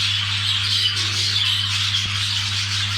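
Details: Mating budgerigars give harsh, squawking chatter mixed with quick high chirps, many voices blending continuously, plus a single click and a persistent low hum.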